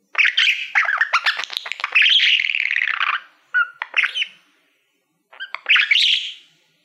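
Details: Male pet budgerigar singing to a mirror-like play button: a long buzzy chattering phrase, two short chirp bursts, a silent pause, then a final scratchy burst.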